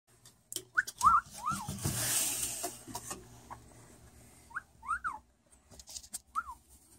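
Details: Pet caique parrot lying on its back, saying "boop": short, clear, rising-and-falling notes in small groups, with a brief breathy hiss midway and soft handling rustles between the calls.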